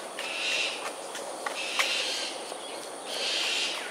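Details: Cockatoos calling in an aerial display, Sungei Ulu Pandan, Singapore, 13 January 2022 at 7.43am. Three long coarse screams in under four seconds, separated by short clicks, with constant insect noise behind.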